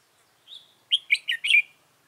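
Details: Red-whiskered bulbul decoy used for trapping, recorded 15 November 2017: a thin high note, then a quick burst of four loud, rich, warbling chirps rising and falling around the upper-middle register, in a quiet setting.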